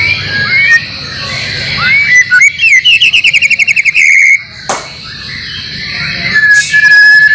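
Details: White-rumped shama training recording meant to get caged birds singing, mixed with filler songs of other birds: varied whistled phrases, a rapid rattling trill of evenly repeated notes, then a long clear whistle, over a steady high background hiss.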